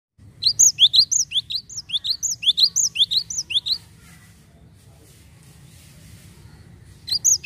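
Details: Java sparrow lure recording used to prompt untrained birds: rapid series of sharp, rising chirps, about ten in three seconds, then a quiet gap with faint background, and a fresh burst of chirps at the end.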